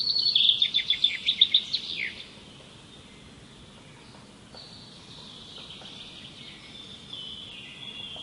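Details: High, rapid trilled phrase of quick repeated pulses lasting about two seconds, ending in a downward sweep. Faint distant high whistles follow over a quiet, hissy outdoor background.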